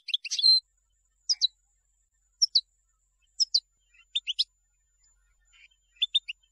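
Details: European goldfinch vocalizing, from songs used to teach young birds: an opening twittered burst with a buzzy note, then paired or tripled short high chips about once a second.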